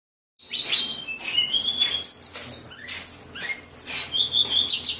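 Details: White-rumped shama song: clear high whistles sliding up and down, mixed with quick chirps and rapid note bursts in a continuous varied phrase, over a faint low hum.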